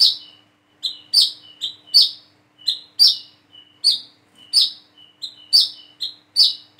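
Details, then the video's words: Plain-throated sunbird practising its song with a steady stream of sharp, high, slurred chirps, around a dozen in seven seconds, each trailing into a short thin whistle. "PANCINGAN SUARA BURUNG WICEH KOLIBRI KELAPA BIAR BISA WICEH WICEH"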